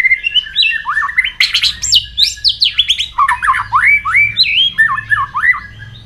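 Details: Morning voice-training song of a white-rumped shama, a rapid run of looping whistled notes swinging up and down, mixed with sharp high chips and slurred phrases repeated densely throughout.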